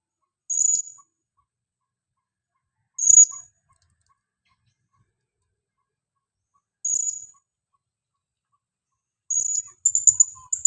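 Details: Female blue-crowned hanging parrot, a lure bird calling actively: single thin high chirps at spaced intervals, ending in a rapid run of several shrill notes.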